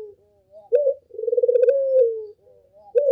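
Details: Lure call of a Barbary dove in full voice: a short clipped opening note, then a drawn-out purring coo that swells and trails downward, with another short note beginning at the end.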